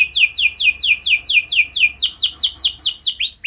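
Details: Canary singing as a lure to get other canaries singing, a steady series of rapid descending swept whistles, about seven per second, ending in a few higher curling notes.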